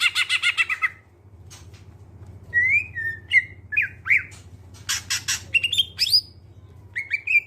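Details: Greater green leafbird song meant to set other birds singing: opening buzzy chatter, a pause, then clear whistled slurs and sharp click notes spaced about a second apart. A constant low hum sits behind.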